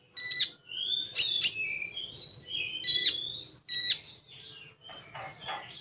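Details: Common iora (konin) singing in full 'tembakan' style: a busy string of sharp high chips, slurred whistles and short trills with brief pauses between phrases.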